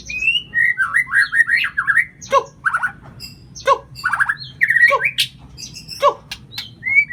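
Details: Oriental magpie-robin singing, played as a lure for a bird that stays silent: rapid warbled runs and slurred whistles broken by harsh, scratchy chattering notes, over a faint constant low hum.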